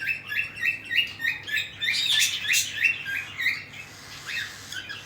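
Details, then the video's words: Cockatiel chicks being fed by their parents: a rapid series of short, rising chirps, about three per second, with a brief louder burst of harsher squeaks near the middle. "Cocktail Parrot Feeding Their Chicks"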